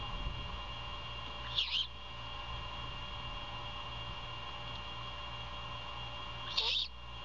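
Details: Great horned owl mother feeding her owlet at a nest camera in Savannah, early morning of 21 February 2022: two short, harsh hissing screeches about five seconds apart against a steady electrical-like hum.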